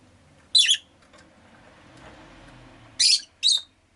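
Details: Rosy-faced lovebird at home giving a loud raspy chirp, a pause with soft background noise, then two quick harsh chirps close together.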